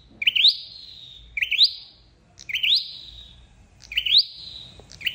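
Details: Flowerpecker calls used as a lure for bird trapping: sharp rising chirps that flow into a thin, slowly falling whistled tail. They repeat roughly once a second, with a low hum underneath.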